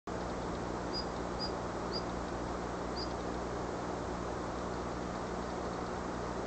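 A female Daurian redstart gives four thin, high, short whistled call notes in the first three seconds over a steady low rumble of wind or distant traffic.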